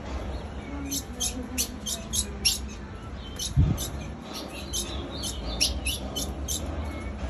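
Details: A female ultramarine grosbeak keeps calling with brief high chips roughly twice a second, a thud midway and low steady hum beneath.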